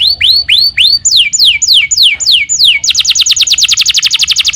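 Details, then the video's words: Canary song opening with several rising whistled upslurs, then a run of clear falling slurred notes, ending in a fast, even trill of rapid repeated high notes. "Voice of Bird Kenari"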